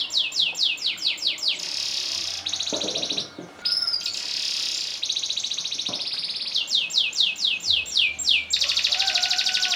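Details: Canary master song for training and contests: quick descending chirp series open and close the phrase, with long flat buzzing rolls held for several seconds between them and a brief softer pause.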